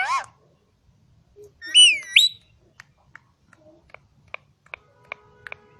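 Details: On a farm in Quetta, a green ring-necked talking parakeet gives a quick squeal and a loud bending whistle, followed by a series of soft scattered clicks and taps.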